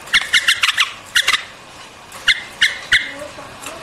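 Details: White-eared bulbul uttering crisp, clipped notes in small clusters, a quick run of five, then pairs and singles spaced through the clip.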